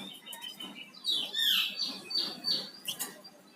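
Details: Flamboyan songbird in lively song: sharp whistled notes sweeping up and down, then a thin steady high tone held over a second, with faint background chatter.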